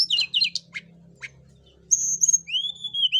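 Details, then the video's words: Hill blue flycatcher song, used to provoke singing: quick twittered notes and scratchy bursts, a quiet gap, then clear high whistles and a long, slightly falling whistled note, over a soft low hum. "Tledekan gunung gacor Untuk Pancing Bunyi Burung Tledekan Ombyokan"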